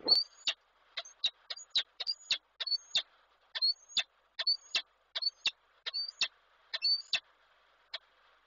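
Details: Peregrine falcon male at Koszalin, Poland, 23 December 2023, calling to the female as an unringed bird, probably her, passes nearby. Rapid series of short, high, clipped notes and sharp ticks, roughly two or three per second, in quiet surroundings.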